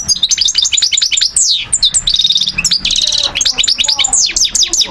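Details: Goldfinch, subspecies parva, recorded in Algiers in 2012, pours out continuous bright twittering with quick chirps and slurred notes, broken by two rapid rattling trills of repeated clicks before the liquid chatter resumes.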